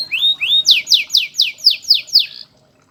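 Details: Master canary singing for song tutoring: two rising whistled slurs followed by about seven loud, evenly spaced downward-swept notes, roughly four per second, then silence.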